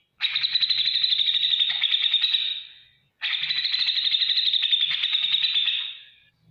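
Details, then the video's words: Grey-cheeked bulbul chattering ngetik ngipik for training other cage birds: two rapid, rattling high bursts, each about two and a half seconds long, separated by a brief silence, with a faint low hum. "masteran cucak jenggot gacor beset ngetik ngipik untuk segala burung apapun nyaut"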